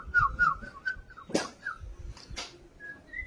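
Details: White-rumped shama singing in fighting style to provoke rivals: a fast run of short clear whistled notes, then sharp clicking bursts and a few scattered higher whistles, with light background rustle.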